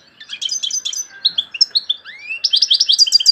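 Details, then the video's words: Loud European goldfinch song of quick tinkling chirps and short trills. A clear upward-sliding whistle leads into a fast, high, repeated stutter. "تغريد مقنين عالي"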